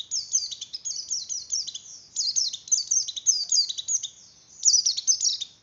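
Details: High, hurried twittering of a Javan grey-throated white-eye in breeding condition, song used to stimulate other white-eyes: dense overlapping descending chirps in continuous phrases, loudest toward the end, with little background sound.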